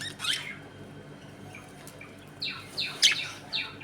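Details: Budgerigars in a home colony: a brief squawk at the start, a pause, then a quick series of descending chirps near the end over a faint room hum.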